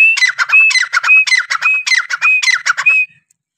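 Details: Grey francolin calling, a local teetr. Each phrase starts with a clear whistled note followed by two or three harsh, scratchy syllables. The phrases repeat briskly about every half second for three seconds.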